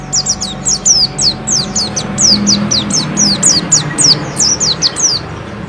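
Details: Bustomi white-eye in full, persistent song, used to spur rival birds to sing back. Dense runs of sharp, high, down-slurred whistles pour out almost without pause, roughly four notes per second, above a low faint hum.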